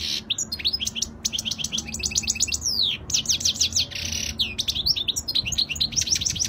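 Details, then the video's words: European goldfinch, flawless Spanish-style song recorded in 2020: dense, nonstop tinkling twitter of quick high notes in fast repeated runs, with a short buzzy rasp near the middle. "تغريد الحسون الإسباني الخالي من الأخطاء"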